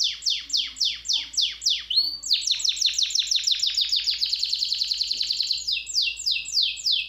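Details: Canary song of quick downward-sliding notes delivered in steady series. A single rising note is followed by a dense, buzzing high trill before the sweeps resume. A soft low hum sits underneath.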